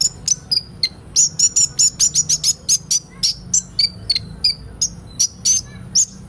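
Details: Group of kolibri ninja sunbirds, played so young birds start singing quickly. Bright, high, tinny chirps come in rapid rhythmic runs, briefly clustering into a quick rattled sequence before spacing out again.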